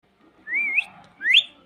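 A parrot gives two clear whistled notes about a second apart, the first wavering, the second sweeping sharply upward.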